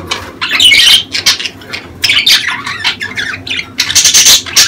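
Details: Breeding-season budgerigar chatter for stimulating the mating urge in hens. Loud warbled phrases and shrill squawks alternate with short gaps, ending in a fast run of bright chirps.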